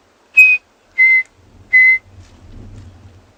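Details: Chinspot batises call in the background on a miserable-weather morning safari in the South African Lowveld, 8 July 2020: three clear, pure whistles, first highest then two lower, about two-thirds of a second apart, over low engine rumble.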